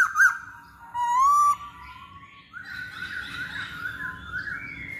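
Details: Masked laughingthrush lure song: a bright whistled note opens, then a sustained gliding whistle slowly rising and falling, followed by quieter overlapping warbled phrases over a faint low hum.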